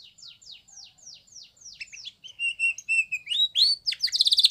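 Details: Training song of a canary, starting with soft descending notes that speed up, then level whistled notes, a rising whistle and a loud fast trill.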